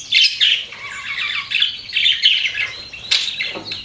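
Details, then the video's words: Pet budgerigars warble in a soft, buzzy chatter with a few sharper chirps standing out, including a loud accent near the end. "CUTE PET BUDGIES CHIRPING"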